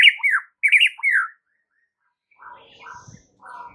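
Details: Training song of a white-rumped shama: two loud slurred, wavering whistles with a harsh edge in the first second and a half, then a pause and quiet scratchy, chattering fragments.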